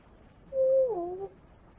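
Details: Pet talking African grey parrot giving a smooth, steady whistled hoot like a drawn-out "ho", held for about a third of a second before bending downward into a wavering, falling tone; quiet background.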